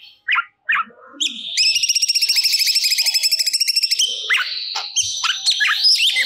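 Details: Crested jay (cucak cungkok) singing actively, recorded as songbird training audio: a few sharp notes, then a long mechanical rattling trill lasting about two and a half seconds, followed by strained whistles and squeaks.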